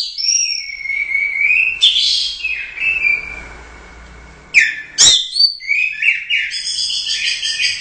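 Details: Orange-headed thrush, a first-place winner at the Royal Cup songbird competition, singing in the gacor teler doyong style: high whistled phrases with sliding notes, a short pause, then a sharp click and a rapid run of bright warbled notes.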